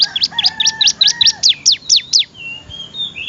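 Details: Melodious bar-winged prinia song for tutoring other birds: a rapid run of about eleven downward-slurred, sharp notes, slowing slightly toward the end, followed by soft thin whistles from another bird.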